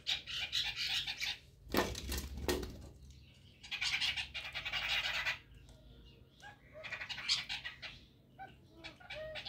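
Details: Several chestnut-tailed starlings interacting in the early morning, giving bursts of harsh, high chattering and squeaky notes in repeated spells, with one loud, low rustling thump near the start.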